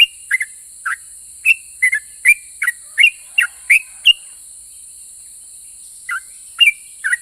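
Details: Sooty-headed bulbul in full song, a bird said to provoke other bulbuls into answering: short bubbly whistled phrases around two to three kilohertz, rising and falling notes in quick bursts, a pause, then more phrases; steady high hiss behind.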